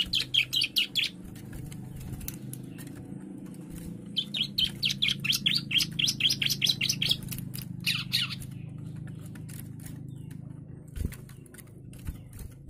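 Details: Young bar-winged prinia singing agitatedly: two brief bursts of fast, high, stuttering chirps, the second lasting about three seconds, then quieter scattered notes over a steady low hum.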